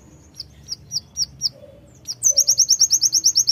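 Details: Konin-type Sunda white-eye in lively tembakan singing: a few spaced high chirps, then a fast, steady run of sharp, thin notes about six per second.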